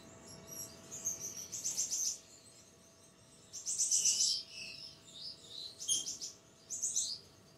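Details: A snow white zebra finch, home-bred in 2023 in Pakistan, gives bursts of high, nasal, toy-trumpet-like calls and buzzy chatter.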